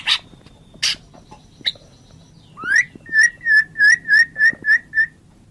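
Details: White-rumped shama with scattered short calls and a thin faint tone, then a rising whistle followed by eight clear, evenly spaced whistled notes on one pitch, each with a small upward flick.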